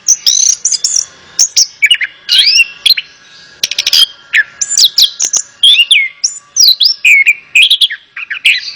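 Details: Therapy recording of Orange-headed thrush song for a bird that will not sing: loud, fluid whistled phrases mixed with rising and falling slurs and clipped chirps, in steady bursts with short pauses.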